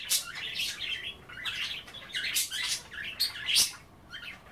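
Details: Budgies kept as pets, playing with kale and water instead of bathing, give a busy, high warbling chatter broken into short raspy bursts, with a sharp squeaky note near the close.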